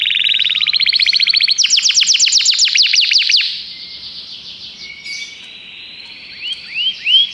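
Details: A common canary delivers quick trills that speed into a sharp repeated rattle, then fades to a soft passage ending with a few faint upswept notes.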